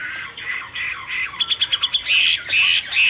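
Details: Myna, wild, giving harsh squawky phrases broken by a quick run of about seven clipped, evenly spaced notes, then loud buzzy, rasping bursts.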